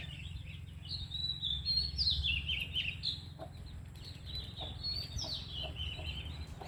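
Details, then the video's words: Shama song of high sweeping whistles and fast trills, louder in the first half, then softer scattered phrases, with a constant low hum underneath. "Burung Murai"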